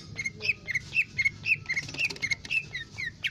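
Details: Captive Lesser green leafbird (Cucak Ijo Mini) singing actively, recorded as song material for tutoring other birds: a fast, varied string of short whistled and slurred notes, about two per second, over faint background hiss.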